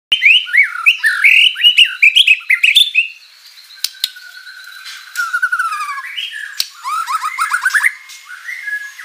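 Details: White-rumped shama singing energetically with a full repertoire of learned material: quick varied whistled phrases, rising and falling, some buzzy, with a quieter drawn-out whistle in the middle and sharp clicks throughout.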